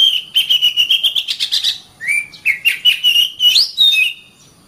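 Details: Oriental magpie-robin song used as a master recording for training caged birds: rapid run of clear whistled notes near one pitch, then varied rising and falling slurred whistles, loud and continuous.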